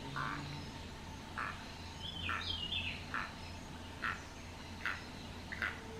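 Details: A male keel-billed toucan perched on a dead tree beside a house in El Valle de Anton, Panama, gives dry, frog-like thrumming croaks about once a second while preening, with a brief descending whistle from another bird and low hum.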